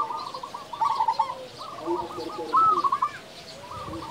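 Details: Local zebra doves in full voice, used to excite silent doves. Quick stuttering trilled coos, one bird after another, with a faint low coo beneath.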